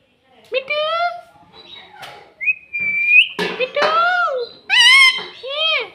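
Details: Pet green ring-necked parrot kept indoors, mimicking words like "mummy" and "mitthu": a run of harmonic, rising-falling squawked syllables with a whistled upslurred note, spoken-sounding calls repeated in quick succession, small-room acoustics.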